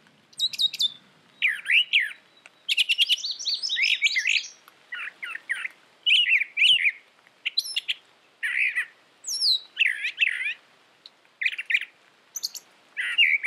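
A Brown Thrasher sings a long run of varied phrases, each burst of rich, slurred and buzzy notes followed by a short pause, with some phrases repeated.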